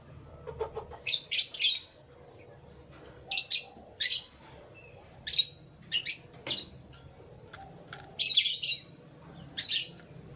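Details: Canary singing in the morning: short, bright high-pitched chirps and brief trilled bursts come in scattered clusters over a soft background hum.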